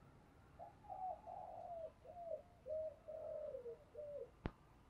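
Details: A caged spotted dove used as a decoy to lure wild doves gives a run of soft, low cooing notes in a steady repeated phrase.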